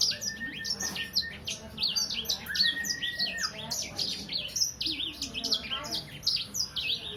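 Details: Caged Sangihe hanging parrot, roughly three months old, in continuous song: rapid high chirps and squeaky slurred notes tumbling over one another, broken by short steady whistles, with low indoor background noise underneath.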